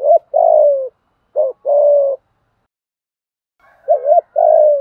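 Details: Low, mellow two-part coos of a spotted dove singing its fighting song, used to train decoy birds. Each short note runs into a longer steady coo. Three phrases are separated by a gap of over a second.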